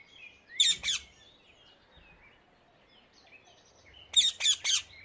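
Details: Free-living rose-ringed parakeet in the Netherlands calls twice, each time with a quick cluster of three rasping screeches, separated by several seconds of faint twittering.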